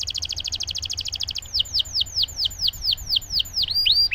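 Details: Canary singing vigorously, recorded to rouse silent canaries: a rapid buzzy roll gives way to a string of downward-sweeping whistles, repeated roughly three times per second, ending with a pair of looping notes.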